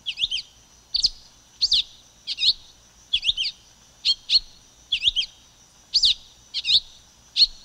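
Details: Silver-beaked tanager song: short sharp chirped notes around mid-high pitch, often paired, repeated roughly every half second to second in an uneven series, with a steady faint high hiss behind.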